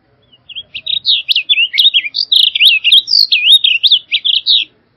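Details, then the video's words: Blue grosbeak (Passerina caerulea) song: a fast, rich warble of about twenty short slurred notes, rising and falling, run together for four seconds with no other sounds. "Blue Grosbeak Song! Blue Grosbeak Call! Grosbeak Song! - Picogrueso Azul Canto"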